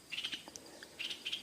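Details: Female Stripe-throated Bulbul giving its alarm call, two quick bursts of bright chattering notes about a second apart with faint hiss; given when people or animals approach its nest or young during nesting season.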